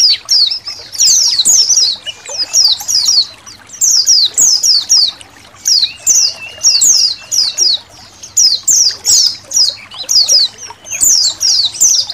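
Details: Colony of Indonesian white-eyes singing for songbird training, with trickling water: long run of high, rapid downslurred whistles in dense bursts, pausing briefly between phrases, plus a faint low whistle.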